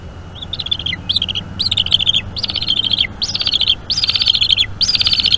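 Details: Bald eagle eaglet begging as its mother feeds it at a Northeast Florida nest, 5 May 2021 around 8 PM, nest camera; loud high whistled phrases, each a quavering trill ending in a downward slur, repeated roughly every half second.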